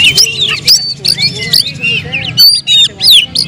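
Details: Captive Oriental magpie-robin delivering varied whistled song: bright rising and falling slurs interleaved with short scratchy chirps in rapid bursts, broken by short gaps; faint low background rumble.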